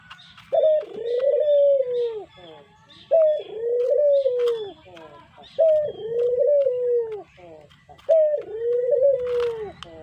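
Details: Spotted dove, a kept pet bird, calling as a lure: a brief bright opening note followed by a long, mellow, low coo, four phrases spaced about every two and a half seconds, with soft clicks and taps in the background.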